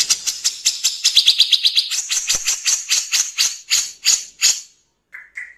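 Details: Grey-cheeked bulbul in harsh 'nembak kasar' song, an original tutoring recording with pauses: repeated rough chattering notes with a brief trilled stretch, spaced harsh bursts slowing toward the end, then two softer lower notes after a short silence.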